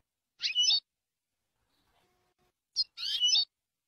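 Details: European goldfinch from a Jordanian-style training tape: two harsh, buzzy, scratchy bursts, each about half a second long and roughly two seconds apart.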